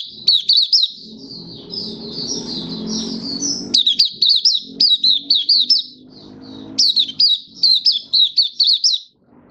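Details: Kept Malaysian white-eye singing happily in Singapore in warm sunny weather, 20 March 2023: long bursts of rapid, high, sharply slurred chirps, roughly eight per burst, between softer warbling, with a low droning rumble underneath.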